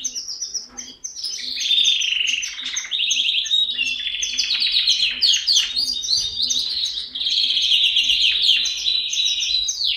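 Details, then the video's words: A canary sings a long, continuous stream of bright, high trills and rolling chirps, shifting quickly between rapid phrases with hardly a pause. "Canary singing"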